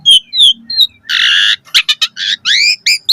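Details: Asian pied starling, 'full isian' singing meant to draw a response from other starlings: a few clear whistled notes, then a long harsh rasping burst followed by quick chattering and upswept squeaky notes.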